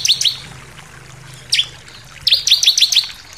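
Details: Bar-winged prinia giving a persistent 'nembak' (shooting) song with variations: sharp, high chirps dropping in pitch, a quick pair, a lone note, then a rapid run of five similar chirps.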